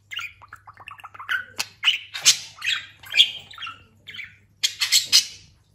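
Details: Talking pet budgerigar, freshly moulted and grown plump, chattering indoors: a run of quick, scratchy squawks and warbled chirps, some rising and falling, packed close together with brief gaps and a faint low hum underneath.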